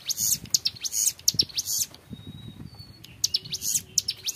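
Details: High, buzzy chirping bursts from a young hill prinia in 'ngebren' style, broken by a short pause holding a thin, level whistle before the rapid notes resume.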